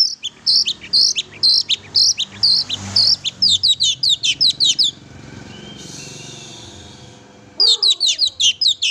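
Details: Vigorous oriental magpie-robin song used to rouse a pet magpie-robin: long runs of loud, high, rhythmic chirps about five seconds long, a pause with soft hiss, then another fast burst with a low downslurred note.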